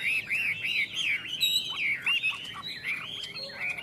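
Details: Caged Chinese hwamei duelling in song with a second bird; a dense, rapid stream of bright looping whistles and short slurred notes with almost no pauses.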